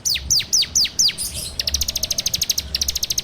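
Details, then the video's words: Bar-winged prinia, known locally as ciblek, in a phone recording meant as a lure: five sharp descending whistles, then a fast even series of high clicking notes. "PANCINGAN SUARA CIBLEK TERBAIK FULL NGEBREM RAPETT!!!"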